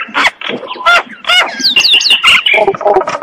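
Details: Common myna in the morning giving a busy mix of harsh squawks, nasal rasps and bright whistled upslurs, with a short cluster of rising whistles near the middle and gurgling chatter at the end.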